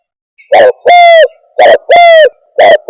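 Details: Spotted dove lure call used for trapping birds: loud, hollow coos in pairs, a short clipped note followed by a longer level note that dips at the end, repeated twice with a short final note.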